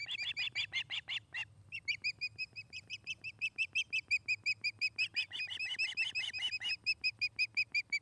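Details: Osprey at a nest near Charlo, Montana, captured by a nest camera on an August afternoon: an unbroken sequence of sharp, high, whistled yelps at a steady fast pace, briefly becoming harsher and denser before settling again.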